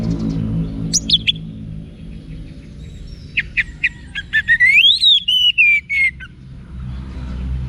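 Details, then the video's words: Orange-headed thrush (anis merah) from northern Bali, kept for song training; a few sharp high notes, then a stuttered series leading into a long rising and falling whistled slur, with low background rumble. "ANIS MERAH Manapun Bakal Nyaut Berani Untuk Figther Saat Didengarkan Kicauan Wiksar Ini"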